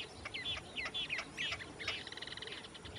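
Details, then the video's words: Female snail kite calling: a string of short, squeaky, upward-bent notes, then a harsh, buzzy rattle of rapidly repeated pulses near the end, over a soft background hiss. "GAVIÃO CARAMUJEIRO - FÊMEA"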